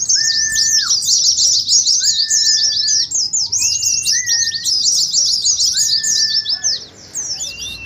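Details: Oriental white-eye ngeriwik twittering, used as a lure and contest simulation: very fast, high, zigzagging chirps fill the clip, while a separate steady mid-pitched whistle repeats about every two seconds underneath.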